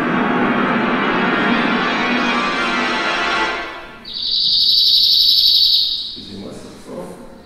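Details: Cirl Bunting song replayed during a talk on Messiaen's birdsong, praised for how fast it repeats its notes: a broad noisy wash at first, then one very rapid, dry, high trill lasting about two seconds.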